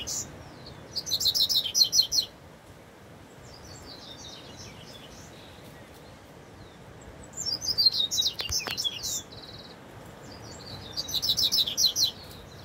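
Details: Double-collared seedeater in the wild, singing in three separate bursts of high, rapid, sparkling trilled notes, with quiet gaps between bursts and a soft steady background hiss.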